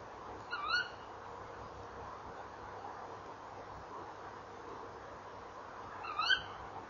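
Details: Tawny owls at their nest box in the evening, 28 November 2013, with the female arriving at the box: two brief, sharp rising calls about six seconds apart, separated by quiet hiss.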